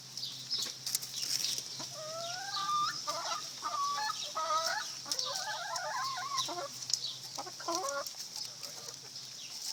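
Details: A neighbour's chickens making repeated nasal clucks and drawn-out calls, with a steady high insect-like hiss throughout.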